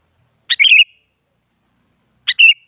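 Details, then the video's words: An active sooty-headed bulbul, whose voice is meant to coax other bulbuls into song, utters two liquid phrases under two seconds apart, each a sharp opening note then a run of rolling whistled notes. "Suara Burung Kutilang Paling Aktif Memaksa Lawan Agar Bunyi Jadikan Kutilang Ikut Gacor"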